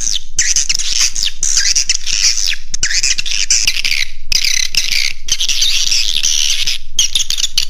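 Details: Swiftlet roosting call of the 'Raja Di Laut' type, meant to attract birds: dense overlapping shrill twitters with many falling squeaky notes, grouped in bursts roughly every second, over a steady low background hum.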